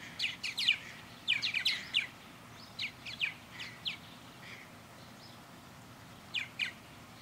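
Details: Purple martins circling a backyard birdhouse under blue sky; a lively cluster of gurgling, overlapping chirps early on, thinning to scattered calls, then a final doubled note.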